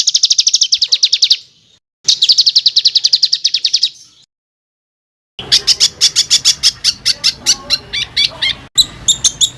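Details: Coarse, tight-rolling bird song used as tutor material for competition fighter birds: two rapid buzzy trill bursts, each about a second long, then a pause and a harsher run of sharp repeated notes over background hiss, broken by a brief cut.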